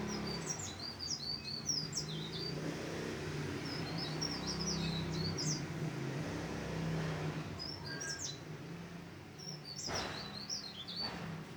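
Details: Mountain leaf warbler singing many high, thin, quick-chirped phrases in bursts throughout, notes jumping up and down, with a steady low hum and a faint vehicle-like rumble beneath.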